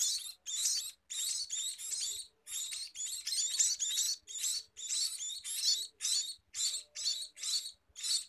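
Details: Scaly-breasted munia song of rapid, harsh, high chirping bursts, about two a second, in an almost unbroken rasping series with short gaps, against a quiet background.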